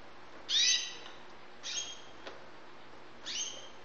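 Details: Syrian white canary chicks in Saudi Arabia: a strong high note followed by two softer ones, each a bright, slightly rising harmonic chirp, separated by a small click, against steady low hum.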